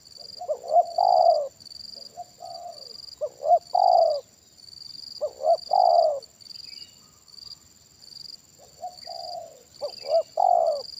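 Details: Loud-voiced spotted dove calling at a trapping session with a decoy, repeating phrases of a quick hooked note then a drawn-out falling coo, spaced irregularly, over a constant high-pitched hum.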